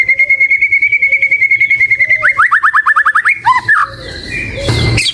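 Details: White-rumped shama (murai batu) holding a long fast-pulsed whistle on one pitch with a soft low note repeating beneath, breaking into rapid slurred notes, followed by a noisy burst.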